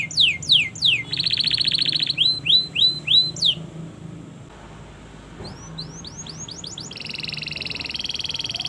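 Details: Long-singing canary master song for tutoring learning canaries: quick descending whistles, a buzzy rattling trill, more slurred notes, a brief quiet gap, then rising chips and a steady high buzzing roll.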